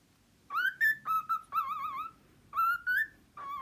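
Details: Pet cockatiel whistling a series of clear tonal notes, some steady, some rising, one with a wavering warble, in short phrases separated by brief pauses; quiet indoor background.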